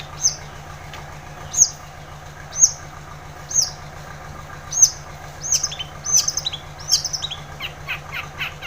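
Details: Long-tailed shrike singing actively, recorded to prompt silent shrikes into song: sharp, high, downslurred notes spaced about a second apart, then a quicker run of varied chirps and rising notes, over a steady low hum.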